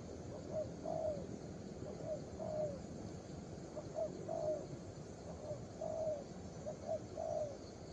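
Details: Young spotted dove with a patterned song of mellow, low coos in short clusters, brief notes followed by a longer falling one, with a continuous low hum behind.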